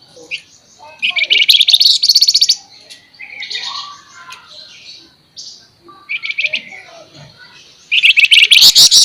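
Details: Flamboyan singing in the rapid 'nyerecet' and 'nembak' style, made as a tutoring recording: several bursts of high, fast, buzzy pulsed trills, separated by softer twitters and chirps, ending in a loud rattling phrase.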